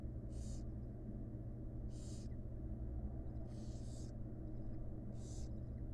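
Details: Nest-box barn owl chicks, wild, beg from their feeding mother with spaced hissing snores, four bursts about every one and a half seconds, one doubled, over heavy low-frequency hum.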